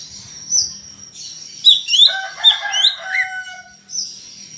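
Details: Greater green leafbird in loud song, kept to prompt other birds to sing: a tangle of rapid slurred whistles and lower harmonic notes, then a thin high sustained tone.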